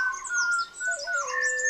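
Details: Malabar whistling thrush (Myophonus horsfieldii), the "whistling schoolboy", singing in the Western Ghats, India, early morning before sunrise in the hot May dry season: clear, human-like whistles holding steady then sliding between pitches, thin high chirps from other birds.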